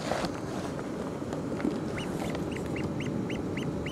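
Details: A raft of Harlequin Ducks at the south end of Middleton Island, Gulf of Alaska, May–August 2005, gives thin, high squeaky notes, each rising and falling quickly, several per second in the second half, over a steady roar of surf.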